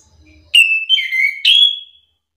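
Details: Orange-headed thrush whistling a brief phrase meant to goad another thrush into answering: three clear notes, the middle one dipping lower, the last bright and trailing off, after a faint low hum.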